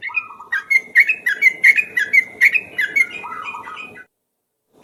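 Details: Ropel-style lure song from a yellow-vented bulbul, sung tirelessly: a run of about fourteen rapid, rich whistled notes bubbling up and down, closing with a lower rolling phrase, then a brief pause.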